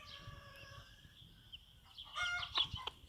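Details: Bantam hen with chicks taking first steps outdoors on a small farm; opens with a smooth sustained harmonic note, quiet pause, then a loud harsh cluck and a few sharp high chick peeps near the end.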